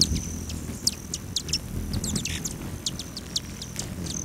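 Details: Several hummingbirds visiting patio feeders at a lodge by Great Sand Dunes National Park, Colorado, on a July morning; quick clusters of sharp high chips with a thin sustained high whine, soft low background rumble.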